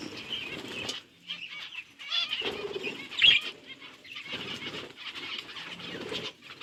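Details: Group of budgerigars eating seeds, recorded on October 30, 2023: continuous busy chattering and warbled chirps with scratchy bursts and short pauses, one sharp louder note mid-way.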